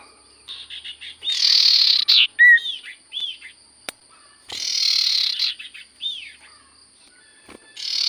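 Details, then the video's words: Sirtu cipoh in lively song: broad buzzy rasping bursts mixed with a few clear looping whistles, with a soft continuous electronic tone in the background. "Burung sirtu cipoh gacor suara paling Top cer sirtu cipoh diam langsung nyaut"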